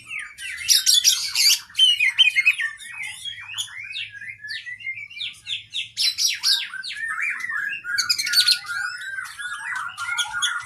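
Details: Oriental magpie-robin (kacer) as a cage bird, singing a long, fill-rich training song: rapid twittering notes, fast repeated chips and harsh high buzzes mixed with clear whistles, about 158 elements per minute.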